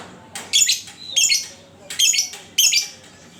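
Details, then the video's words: Lovebird heard as a lure to prompt other lovebirds to sing, repeating loud, rough, double-pulsed squawks four times, each burst harsh and noisy across a high range. "Panciangan Burung Lovebird"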